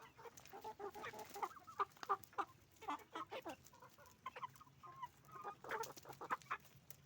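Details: Roosters and hens on a chicken farm: a dense, busy chorus of short overlapping clucks and squawks from many birds, calling in rapid, irregular bursts, with a low steady hum joining the background partway through.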